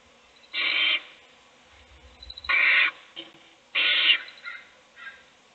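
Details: Owl in a nest box feeding one chick while the other chicks sleep; three harsh, breathy hissing bursts about half a second each, spaced irregularly, with softer rasping notes between them.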